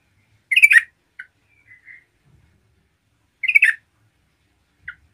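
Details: Yellow-vented bulbul in lively, constant song used to provoke other bulbuls: two short, dense, chattering bursts about three seconds apart, with a few soft clipped notes between them. No other sounds.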